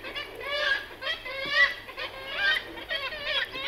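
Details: Black-legged kittiwakes call in a busy colony on sea cliffs, recorded at medium close-up. Nasal wailing notes overlap from many birds, with an echo off the cliff face and a low steady hum beneath.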